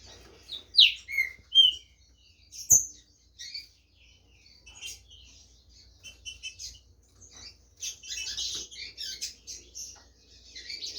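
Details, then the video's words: Green-winged saltator in a song competition in Brazil, delivering a few strong descending whistled notes, then a long stretch of softer high chatter from many birds. "TRINCA FERRO"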